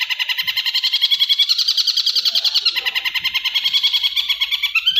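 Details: Long-tailed shrike training song of the masteran style: a fast run of buzzy, harsh high notes repeated about three times a second, steady and dense, with a few faint low knocks underneath.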